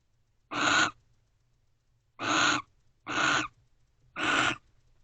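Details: Barn owls at a nest box, a pair with the female joining the male guarding, just after midnight on 30 November 2023; four harsh, broadband hissing screeches, each about a third of a second, spaced unevenly over five seconds, with a quiet background.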